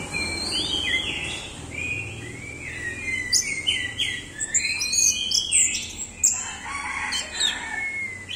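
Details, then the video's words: Energetic orange-headed thrush song mixing rising and falling whistles with scratchy high notes and quick chirps, delivered almost without break; a soft low rumble sits in the background. "Anis merah doyong teler"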